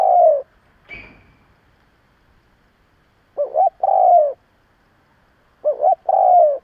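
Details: Lure spotted dove cooing strongly to stir up rival doves: low, mellow phrases of a quick wavering double note then a drawn-out falling coo, given roughly every two seconds, with one brief rustling click early on.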